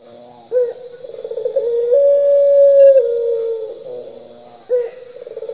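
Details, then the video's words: Turtle dove in the 'pelung' style, lively and long-calling: a rolling, pulsed opening swells into a long, steady, drawn-out coo, then fades. A fresh rolling phrase begins near the end. "puter pelung gacor nglocor"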